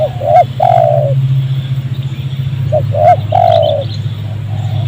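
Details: Wild spotted dove, excited by a decoy bird while being trapped in a rubber plantation. Two quick coo phrases, each a short rising hook then a long descending coo, with a low steady drone throughout.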